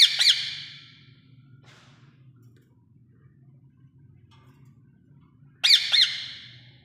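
Rose-ringed parakeet giving two loud, harsh, grating squawks about five seconds apart, with a low hum underneath.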